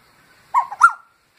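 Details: A koel visiting close to a glass window gives a single two-note call, a mellow low note then a louder, sharper rising note, lasting about half a second in quiet surroundings.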